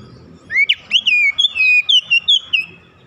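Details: A kacer (oriental magpie-robin), a raw trainee bird, delivering rapid gacor song with unloaded isian phrases: about ten crisp whistled notes, rising then gently falling, over faint low background hum.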